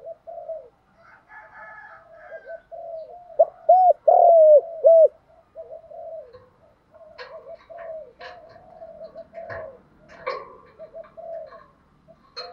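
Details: Spotted dove coos for training young captive doves, in the full local-voice style: low hooked coos near 600, a loud burst of three after several soft notes, with faint clicks and chirps later.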